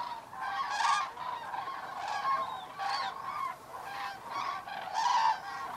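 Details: Evening roost flight of common cranes at Federow, Germany, in October; loud, ringing trumpeted calls come in strong bursts about every second, with a chorus of many more cranes behind.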